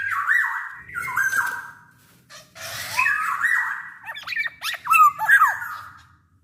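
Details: Black-naped oriole in vigorous song, a lure to set orioles singing; repeated raspy nasal falling calls, then a fast series of sharp whistled slurs, with a faint low hum underneath.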